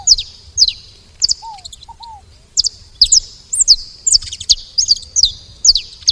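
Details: Saffron finch calling at a feeder: sharp, high, quickly falling chirps spaced through the recording, with one low double curved whistle near the start.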